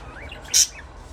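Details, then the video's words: Budgerigar giving one sharp, high chirp midway, with faint thin rising whistles just before and after, over a steady low hum. "Budgies parrot chirping sound"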